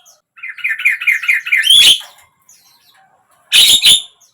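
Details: Javan myna, played to encourage a silent bird to sing; a rapid series of buzzy repeated notes rising into a harsh screech, then a pause and a loud rasping double note.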